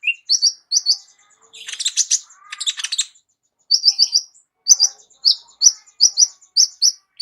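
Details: Sunbird, an Indonesian 'kolibri ninja' kept as a vocal tutor for other songbirds, singing a rich varied song: pairs of sharp high chirps repeated rapidly, broken by a dense, buzzy, scratchy trill in the middle.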